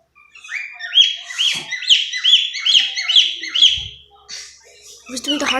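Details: Issac, a pet cockatiel, mimics the phrase "I love you" followed by a name in a run of clear, arched whistled syllables.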